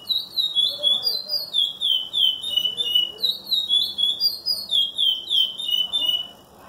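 A chestnut-bellied seed finch sings a long, fluid run of clear whistled and slurred notes, quick and rising and falling, with a faint background murmur.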